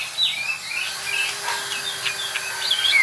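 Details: White-rumped shama learning rolling trills, giving a run of high whistled, slurred notes and short sweeps over a steady hiss, with a faint low hum underneath.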